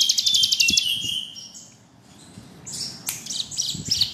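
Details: Bar-winged prinia gives a brief high trill that stops short. After a quiet pause come scattered sharp, high chirps and squeaky notes.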